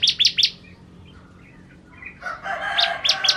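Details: Bar-winged prinia (Prinia familiaris), kept songbird, song: three sharp, high chirps in quick succession, a short pause, then another fast triplet of bright notes over faint background hiss.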